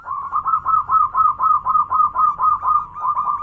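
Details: Zebra dove, a local-type bird singing its loud manggung song: rapid series of hooked, cooing notes repeated about twice per second at steady mid pitch.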